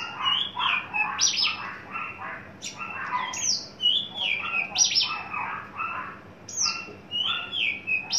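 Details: Caged tame adult male Javan bush lark entering breeding condition, mixing lower warbled chatter with occasional high sweeping downslurred whistles at intervals of about two seconds.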